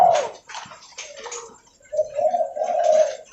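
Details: Spotted dove (derkuku leopard) calling while walking; a short coo at the start, a quieter stretch with scuffing noises, then a steady low cooing phrase.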